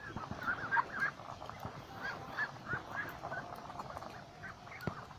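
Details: A lakeside duck flock keeps up rapid, overlapping calls, several per second, each a short nasal note with a bend in pitch. One sharp click near the end stands out over a steady low hum.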